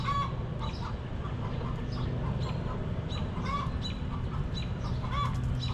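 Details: Backyard chickens in their coop produce scattered short clucks, some sharper and brighter, spaced irregularly about every half second against a heavy low background hum.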